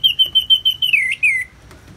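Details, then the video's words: Orange-headed thrush singing in the ngeplong style, set with natural rain sounds: a row of six clear whistled notes on one pitch, evenly spaced, then a drawn-out downward slurred whistle. "Terapi ANIS MERAH Ngeplong dan Suara Hujan ALAMI"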